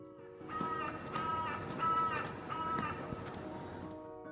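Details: A carrion crow gives one of its most common calls, a run of five harsh, hoarse caws less than a second apart, over soft background music.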